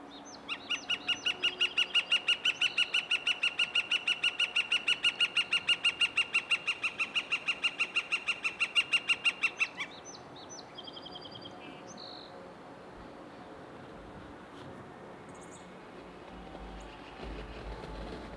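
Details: A Northern Flicker on a cloudy Saturday morning, 8 April 2023, gives a loud, steady run of ringing wick-wick-wick notes, about three each second.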